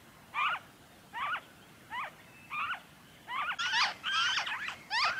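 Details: Noisy friarbird from Victoria, Australia, February 2023: well-spaced grating notes that speed up and crowd together toward the end, as a second overlapping voice appears to join in.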